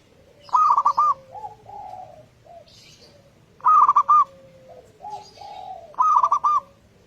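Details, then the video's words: Perkutut, or zebra dove, lure song for a morning session to prompt other doves to join in: three rolling trilled coo phrases roughly every two and a half seconds, each followed by lower soft hooting notes. "Pancingan suara burung perkutut lokal"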